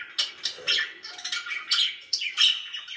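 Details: Happy pet budgerigar chatter: short sharp chirps popping out over a raspy warbling background, several bright accented notes within a few seconds.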